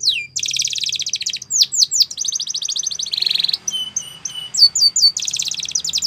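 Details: Spanish Timbrado canary singing a song used for training young canaries: a rapid buzzy trill, then a series of falling slurred notes, a low metallic roll and short clipped whistles, closing on another fast rattling trill.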